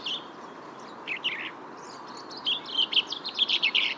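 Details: Common Chaffinch singing: a brief burst of notes, then after a pause a quick series of bright, slightly descending notes building toward the end, over steady background hiss.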